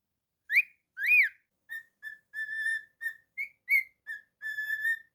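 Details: Cockatiel indoors opening with two arched, rising-then-falling whistles, then a series of short level notes and a long steady whistle, all clear and flute-like.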